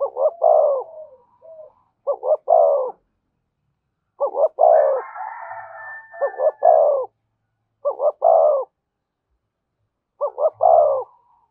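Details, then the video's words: Steady 'giọng thổ' cooing from a spotted dove with 'thúc' and 'kèm' phrasing, five or so phrases of double short notes and a sustained low coo spread over about twelve seconds. A higher wavering tone joins briefly midway. "tiếng cu gáy giọng thổ thúc và kèm hay nhất"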